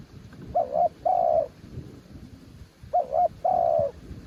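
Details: Spotted dove, noted as a mountain bird, giving two soft cooing phrases: a short two-part coo, then a sustained, gently falling note. The phrases come about two and a half seconds apart against faint low noise.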